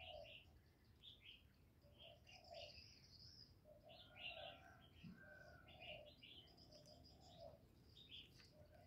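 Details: Spotted dove 'giọng thổ' coos used to stir males: repeated low mellow phrases running across the whole stretch, with steady high chirping and twittering from other birds around them.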